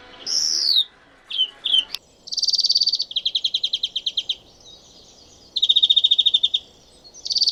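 European Greenfinch singing rapid, bright canary-like trills and twittering phrases, repeated in bursts of about a second; no other sounds stand out.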